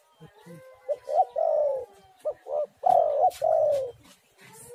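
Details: Spotted dove lure recording: soft hooting coos, short notes leading into longer drawn-out falling ones, with a faint steady whistle-like tone in the background.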